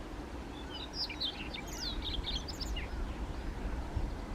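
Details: Song of a Siberian rubythroat at Kushiro, Japan, 3 July 2019, handheld SX70HS recording: a burst of rapid, varied high whistles and chirpy notes at mid-clip over soft steady background hiss.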